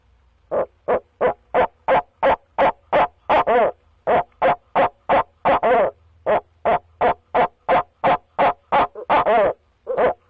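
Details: Long, steady run of about twenty-five rhythmic hoots from a male barred owl calling to his mate from the nest box. Several drawn-out, quavering hoots are mixed in, and one short pause breaks the run.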